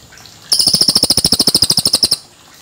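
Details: Cililin bird in a clear original recording made for tutoring young magpie-robins: a crisp high-pitched rattle of rapidly repeated clipped notes lasting under two seconds, then stopping abruptly, with quiet background.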